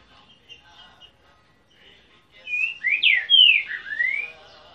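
An Ultramarine grosbeak sings a short phrase of clear, sliding whistled notes.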